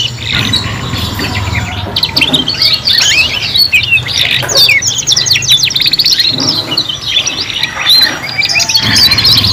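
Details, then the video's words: Young canaries (kenari paud) singing together in a three-in-one mix made for learning sounds: dense, rapid high chattering trills and sweeping whistled notes, nearly continuous, with a steady low hum beneath. "KENARI PAUD BELAJAR BUNYI BARENG 3 IN 1 | CANARY SINGING"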